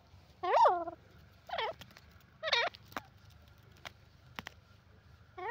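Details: Teetar, the grey francolin, uttering loud, rich, harmonic calls that sweep up and down, about one per second, followed by a pause with clicks and a faint steady tone.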